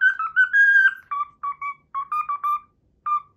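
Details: Captive cockatiel performing the learned Pythagora Switch theme tune: a long wavering opening whistle, then a run of short clipped repeated notes at a lower pitch, ending in a lone echoing note after a pause.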